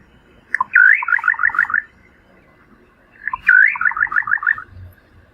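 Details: Little Nightjar in the Brazilian Cerrado: two calls about three seconds apart. Each opens with a short upslurred note, then a quick bubbling run of about six descending, stuttering notes. The background is quiet apart from a faint low rumble.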